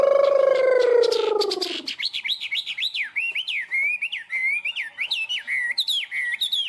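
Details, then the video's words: Tame caged Chinese hwamei singing in a high 'cao cầu' style: a low, rich harmonic sound opens, then a fast chain of wavering whistled phrases that loop up and down at high pitch. "Chim họa mi thuần, hót tốt, hót cao cầu"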